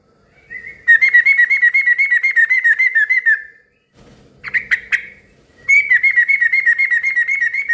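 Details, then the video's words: Noisy yellow-vented bulbul whose song prompts others to answer: two long, rapid, harsh chattering trills of about four notes a second, with a short burst of sharp chirps between. "suara kicau trucukan gacor ribut yang satu ini suka bikin burung trucuk lain ikut NYAUT BUNYI RIBUT"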